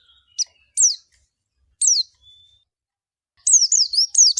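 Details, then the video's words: Scattered single sharp, downslurred high chirps from a pleci white-eye, followed by a quick burst of wavy twittering notes. "SUARA BURUNG PLECI"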